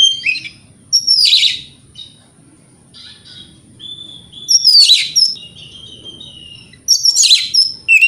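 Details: White-rumped shama morning song meant to provoke rivals into answering: loud bursts of sharp, scratchy and whistled notes separated by quieter gaps, with a low murmur underneath.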